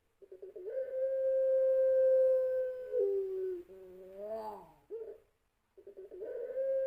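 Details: Long cooing from a champion-bloodline puter pelung spotted dove used as lure song: brief stuttered notes open into a held two-second tone, a lower slide, wavering coos, silence, then the long note begins again.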